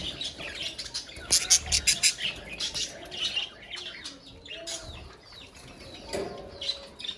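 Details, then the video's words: Many budgerigars chattering in a colony, with a loud cluster of sharp chirps and squeaks in the first two seconds, then softer, rapid twittering and scattered squawks. "Budgies Sounds in Colony | Parakeets Sounds in Colony"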